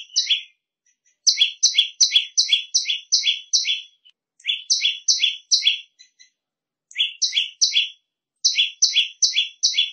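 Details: Shrill prenjak lumut song used for training songbirds, delivered as quick paired high chirps, a sharp upper note then a lower one, in several bursts of five to eight with brief gaps.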